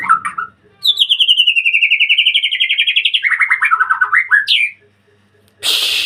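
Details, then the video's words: White-rumped shama singing in a breeding cage: a brief note, then a long rapid trill of about thirty pulsed notes sliding slowly down, dropping into lower warbled notes and a rising whistle, ending with a rustling burst of noise. "murai gacor dikandang ternak"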